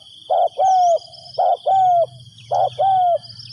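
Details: Decoy spotted dove calling to draw in wild doves: repeated low coo phrases, each a brief note followed by a drawn-out, gently descending one, roughly one phrase a second, with a constant shrill insect drone behind.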